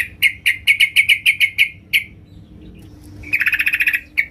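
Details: Female sooty-headed bulbul calling to a male, giving a fast run of about nine sharp chirping notes, a pause, then a rapid rattling burst of short notes and one final chirp.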